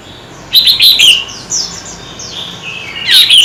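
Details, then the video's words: Singing-contest Oriental magpie-robin, kept bird, using many voices: quick clusters of high chirps, then softer descending whistled slurs, ending in a loud burst of bright rapid notes. "Chòe Than Hót Đấu Căng Lửa – Chim Hót Cực Nhiều Giọng"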